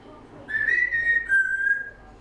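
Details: Young female African grey parrot kept as a pet, six months old, giving one long steady high whistle that drops slightly in pitch halfway through, with a faint low hum behind.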